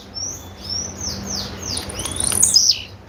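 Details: Female blue-black grassquit (tiziu) call: a series of soft, downslurred whistles repeated about every quarter second, ending in a rapid high ticking run that falls into a thin slur.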